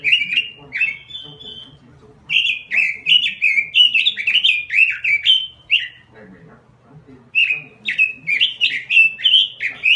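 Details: Robin in energetic 'gacor' singing: rapid warbled phrases of rising and falling whistles in dense bursts, a brief steady high whistle, a quiet gap, then more fast chattering phrases.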